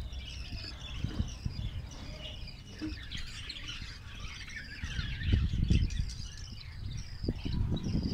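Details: Australian parrots in a Karachi colony keep up a constant soft warbling chatter of high chirps, over low thumps and rumbling noise.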